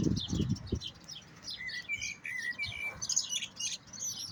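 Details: European goldfinch song: jumbled high twitters plus a run of short, clear, level whistled notes in the middle, with low thumps at the start.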